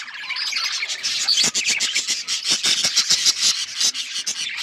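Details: Budgies chattering nonstop in a dense, scratchy high warble, rapid chirps and squawky notes running together with brief pauses in the stream.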